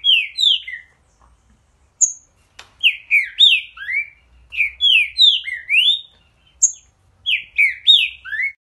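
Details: Green-winged saltator (trinca-ferro) singing energetically: loud, clear whistled phrases of slurred downward and rising notes, repeated in quick bursts with short pauses between phrases, over a quiet background.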